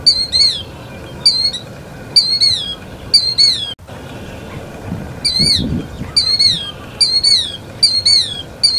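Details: Killdeer calling in series: piercing high notes that rise briefly then slide downward, roughly one per second, broken by a short pause midway, with soft low rumbling noise beneath.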